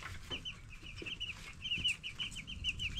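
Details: Ten-day-old broiler chicks raised on a farm, a brood peeping together: dense, high, short chirps in rapid overlapping runs throughout, over a low rumbling background.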